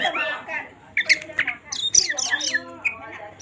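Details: Oriental magpie-robin (kacer) in vigorous gacor song, played to spur other birds into singing: sharp whistles, squeaky chips and harsh notes in quick, irregular succession.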